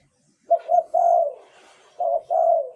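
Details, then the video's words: Cooing of a spotted dove, a decoy song for luring wild doves: one full phrase of two short notes and a long falling coo, then a partial phrase of paired coos, with a faint rustle between. "เสียงต่อนกเขาใหญ่ เสียงชัด"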